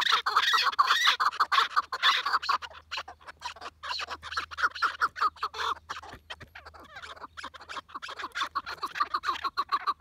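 Chukar partridges give a busy chorus of harsh, clucking chuk-chuk notes, several birds overlapping at a fast, uneven pace of over two calls per second.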